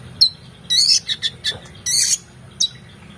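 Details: Oriental magpie-robin singing energetically, recorded as tutor material for training competition songbirds: a loud burst of varied high chirps, buzzy trills and sharp notes in clusters, over a steady low hum.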